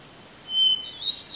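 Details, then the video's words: Hermit thrush singing from a red pine tree in Eustis, Maine, just before sunset on 18 July 2020, with a camera-mounted microphone: a steady pure whistled note, then a higher, flutey, tumbling flourish. "Hermit Thrush 🎶🐦 Singing in a Red Pine Tree in Eustis ⛰ Maine 🌲"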